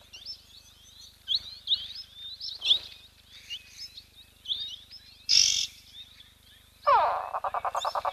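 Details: Bare-faced go-away-bird at a lodge hide in the Olkirimatian Conservancy, South Rift Valley, southwest Kenya: near the end a loud, harsh, nasal call drops in pitch, then breaks into a fast bleating series; high thin small-bird chirps open.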